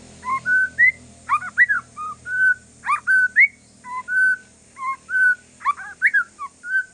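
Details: Aceh forest-lineage white-rumped shama singing calmly to coax other shamas to respond: steady string of short fluting whistles and sharp rising slurs, roughly two per second, over faint low hum.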